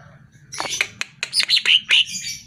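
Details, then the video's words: Greater green leafbird song played to provoke caged birds into answering: a short burst of loud, varied chirps and slurred whistles, some rising and falling quickly, over a low background hum. "Pancingan Suara Burung CUCAK IJO Dijamin NYAUT"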